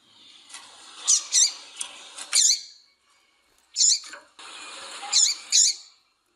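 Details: Bursts of thin, very high chirps from a female double-collared seedeater, two or three at a time with short gaps. Breeders use this call to set males singing for competitions. A low background hiss comes and goes.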